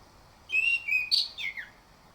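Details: Orange-headed thrush phrase played to coax birds into singing in the morning: a sustained clear whistle, then a rising bright note and a falling slurred whistle, crisp against near silence.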